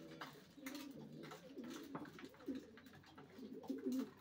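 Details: Low, humming coos from racing pigeons, drawn out and wavering, with a louder rolling coo near the end amid light scuffling noise.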